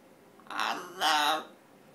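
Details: A pet blue-and-yellow macaw says "I love you" in two harsh, raspy bursts of hoarse parrot voice, the second louder and longer, in an otherwise quiet room. It never manages the final "you".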